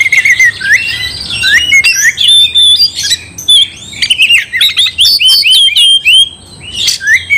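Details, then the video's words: Oriental magpie-robin in full, constant song meant to provoke another male into fury; loud, fast stream of varied whistles, sharp chirps and rasping notes, sliding up and down, with barely a pause. "gak mungkin gak nyaut Kacer gacor bikin kacer ngamuk"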